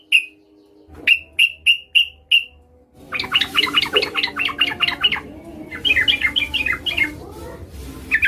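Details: Female Yellow-vented Bulbul calling a male, used as a lure to make males sing: a run of six short clear chips, then dense overlapping bubbly chatter with more lively notes toward the end.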